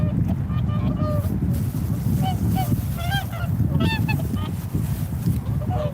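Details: A busy chorus of swan honks, bugle-like and nasal, some rising, others falling, tumbling over one another in bursts, backed by a heavy, even low-frequency rumble.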